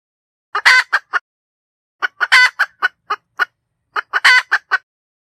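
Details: Hen cackle in three separate bouts, each a loud stretched squawk followed by a few quick clucks, with about a second of silence between bouts.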